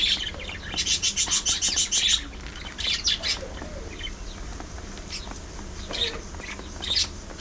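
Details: Pet budgerigars chattering among squabbles and mutual grooming: a rapid burst of harsh pulsed notes repeated quickly for over a second, then looser squawky chirps and scattered high calls over a soft low hum.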